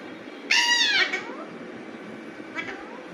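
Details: Raw natural voice of an Alexandrine parakeet: one loud harsh falling squawk lasting half a second, followed after a pause by a much fainter short call.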